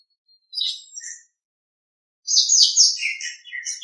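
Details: Nias hill myna from a master recording for training other birds: a short high chirp and soft lower note, a second of silence, then a longer burst of bright whistles and lower chatter.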